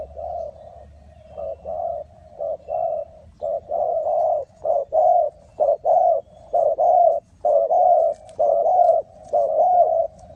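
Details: Loud, close coos of a spotted dove at a trapping site in Ninh Thuận. Paired notes, one brief and one drawn out and gently falling, repeat roughly every second in a quiet setting.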